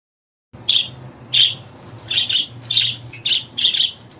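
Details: Budgerigar chirping in short harsh bursts, six rasping notes spread over about three seconds and spaced irregularly, over a faint low hum.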